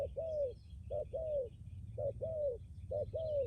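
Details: ['Decoy spotted dove from Lâm Đồng, Vietnam, used for luring wild doves and cooing firmly. Rhythmic pairs of mellow notes, short then long and falling, repeat about once a second against faint background chirps.']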